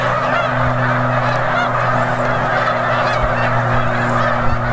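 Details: Snow geese in huge number at Bombay Hook National Wildlife Refuge, Delaware, USA, on December 4, 2006, keep up a ceaseless nasal honking chorus while a steady engine-like hum runs underneath.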